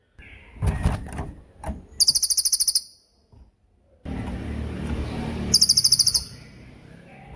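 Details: Cililin song for songbird training: short bursts of rapid, high, sharp trilled notes, the second partly over a steady low rumbling background noise, with a few clicks and knocks between.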